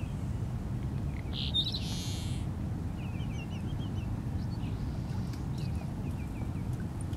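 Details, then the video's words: A Seaside Sparrow calling from a saltmarsh behind Wrightsville Beach, North Carolina, on April 8, 2015, gives one short buzzy song, a sharp note then a harsh buzz, over heavy wind rumble, followed by soft quick chip series. "Seaside Sparrow singing"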